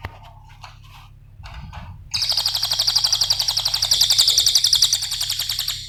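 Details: Small minivet (cililin) song recorded as a training and lure track for songbirds: after two seconds of faint background, a loud, dense, rapid trill of sharp high notes starts and runs evenly to the end.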